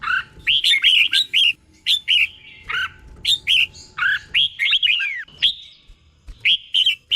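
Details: Red-whiskered bulbul tutor song for training caged birds, sung in doubled 'boen' pairs: steady bursts of rich, falling whistles and chirpy warbles, repeated almost without pause.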